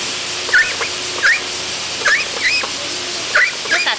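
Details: A hand-reared domestic duckling at a zoo, which usually quacks, reverts to chick-like peeping when its beloved rubber duck companion is brought near: short, high, upslurred peeps, about six in four seconds, over a steady background hiss.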